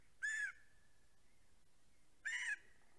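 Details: Greater spotted eagle pair in a snowy nest in Estonia, on a live nest camera, 14 April 2020: two loud yelping calls with bright harmonics, about two seconds apart, and a faint thin tone trailing between them in the quiet.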